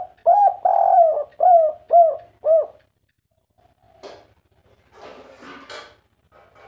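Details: Spotted dove, local wild-type voice in 'kuk 3' style, used to stimulate other doves to call: five rounded hollow coos in quick succession, then silence and some rustling and handling noises.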